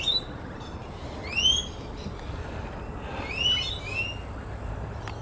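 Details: Rainbow lorikeets in trees at Lake Eden, North Lakes, near Brisbane, give shrill, sweeping high calls in short bursts over a low traffic rumble.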